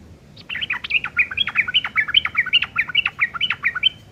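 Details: Sooty-headed bulbul in rough chattering ngeriwik style, a tutoring filler for long-tailed shrikes: a continuous rapid string of clipped, bouncing chirps, about a dozen in quick succession, with faint low background noise.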